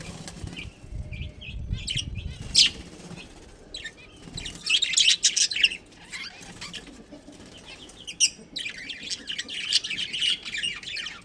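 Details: Budgerigar colony kept as pets, including a breeding pair, with short whistled chirps early, then stretches of dense twittering chatter, with some low rustling and wing flutters.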